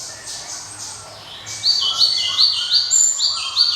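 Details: Java sparrow with a clear, ringing voice: after a quiet start, a rapid run of bright, high, slurred chirps, each note dipping and repeated about three times a second. Constant high background hiss and faint low hum.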